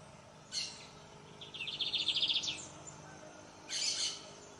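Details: A lined seedeater gives a harsh buzzy note, then a quick pulsed trill of evenly repeated high notes lasting about a second, then another broad buzzy burst, with faint low background hum.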